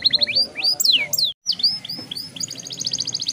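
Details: Young canary's long rolling song, played to get other young canaries singing: quick chipping notes, looping sweeping whistles, a brief gap, then a fast even high trill.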